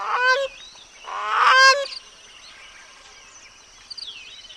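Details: Grey crowned cranes with their chicks: two loud, harsh, honking calls rich in harmonics, the second longer and rising in strength, followed by a quieter stretch with faint thin, high calls near the end.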